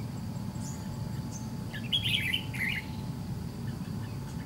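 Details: Red-whiskered bulbul, white-cheeked type, in trap fighting against a decoy bird; one dense, scratchy warbled phrase near the middle, plus a couple of faint thin notes, over low background noise.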